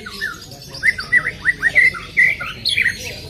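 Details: Greater green leafbird singing to prompt another leafbird: a lively run of varied whistled and slurred notes rising and falling, fast and somewhat irregular, with a few higher notes near the end.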